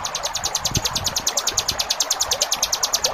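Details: Ciblek gunung singing a rapid 'ngebren' song with tight gaps, recorded as a training track for cage birds: a steady run of high, sharp chip notes about three per second, with a low rumble of flowing water beneath.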